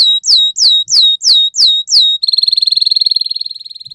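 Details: Young canary song meant to coax other birds into singing: six loud down-slurred swooping notes, then a rapid rattling trill that slowly fades.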